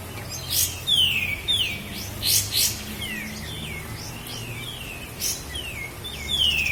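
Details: Master recording of a Sooty-headed bulbul from Lahat, used to train cage birds, with bright whistled notes sliding downward, repeated in short series, broken by a few harsh broadband bursts.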